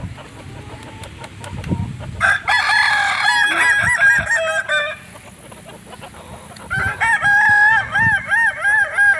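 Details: Pure Solok Kukuak Balenggek chicken from West Sumatra crows twice. The first is a harsh rich crow. The second is a long series of rising-and-falling wavy syllables repeated evenly to the end, with faint knocks between them.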